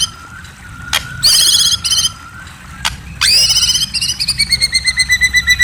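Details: Night song of a white-rumped shama: a steady thin tone broken by loud, rich bursts of high layered notes, ending in a fast, evenly pulsed trill with a low rumble underneath.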